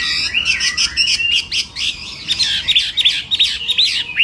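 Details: Morning training song of a Chinese hwamei kept for contests: dense, bright whistled phrases mixed with rattling high notes, fast and varied throughout.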